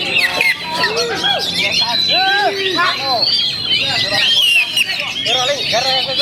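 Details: Oriental magpie-robin holding steady at a champion's rank despite strong wind, Indonesia; varied arching whistled notes and quick chirps repeated in bursts, set against a dense backdrop of other bird calls and crowd babble.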